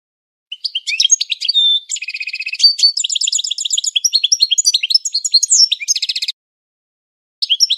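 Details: European goldfinch training song in classic style: rapid, bright twittering phrases mixing short liquid notes and buzzy trills, with a dense rattling burst near the middle and a fresh phrase starting after a brief pause at the end.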